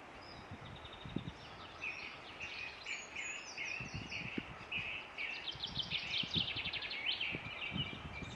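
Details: Eurasian treecreeper singing in Ross-Shire, Scotland, on 22 April 2016: thin, very high notes in quick runs, some sliding downward, with faint rustling and low outdoor noise beneath.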